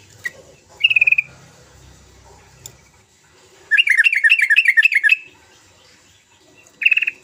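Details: Energetic sooty-headed bulbul song used as a lure to make reluctant bulbuls sing: brief bright trills open and close a longer burst of about fifteen quick warbling notes, over a faint background hum.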